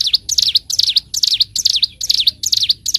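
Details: Bar-winged prinia, recorded as a master for training birds, pours out fast, piercing down-and-up phrases in quick succession, about two and a half per second, over a faint low hum.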